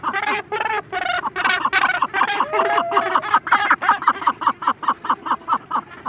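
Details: Close-up Cape gannet chick begging while adults call occasionally behind it: loud, rough, uneven squawks at first that settle into a rapid, regular series of short grating notes, with a brief lower sliding adult call midway.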